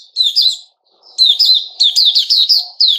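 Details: Sooty-headed bulbul kept caged, recorded 10 July 2021: a short chirpy phrase, a pause, then a quick series of loud clipped chirps in even succession.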